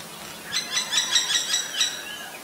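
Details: Common Myna recorded in Ubon Ratchathani, Thailand, on May 3, 2022, with a Nikon P1000: seven harsh, clipped notes repeated about four times a second, each one broad and chattering, over quiet background hiss.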